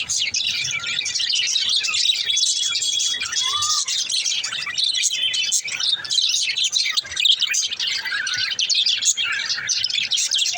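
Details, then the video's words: A male green lovebird keeps up a dense, continuous stream of high, scratchy chirps and tweets, with a few clearer whistled notes mixed in. "green love birds sound male l parakeet chirping sound"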